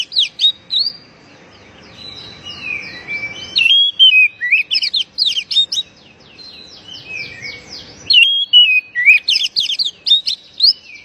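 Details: Oriental magpie-robin (kacer) calling, used to stir a stressed, silent bird into singing. Rapid, varied whistled phrases with sweeping and rising notes come in dense bursts separated by short pauses, over a faint low hum.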